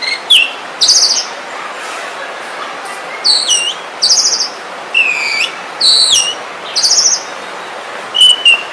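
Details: Oriental magpie-robin song: short bright whistled notes and buzzy phrases, some dropping in pitch, delivered in bursts about every second against steady background hiss.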